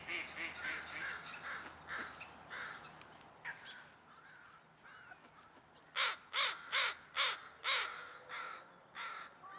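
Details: A murder of crows calling outdoors: overlapping distant caws and scattered other calls at first, then a close series of six loud, harsh caws given at a steady, rapid pace.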